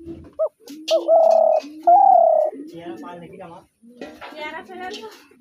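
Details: Spotted dove with two quick rising notes and two long, steady coos, followed by a run of rapid, harmonically rich nasal sounds and low murmuring coos.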